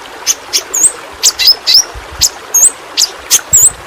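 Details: A Kalimantan pentis pelangi flowerpecker, recorded as a tutor track for pet songbirds, gives shrill thin clicks roughly every quarter second, interleaved with brief high twisting whistled notes.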